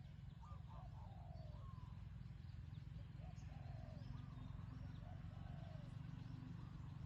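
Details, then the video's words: Wild spotted dove calling to a decoy on the ground, praised for a resonant voice: soft, low cooing phrases of a few notes each, repeated with short gaps, over a steady loud rumbling background noise. "นกเขาใหญ่ต่อดิน [เจ้าสามส้มหยุด] EP11 นกป่าคารมเสียงดี กังวานมาก"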